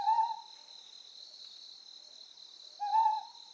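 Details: Two clear, short hoots from a Ryukyu scops owl on Amami Oshima, Japan, nearly three seconds apart, against a continuous high-pitched buzz of insects.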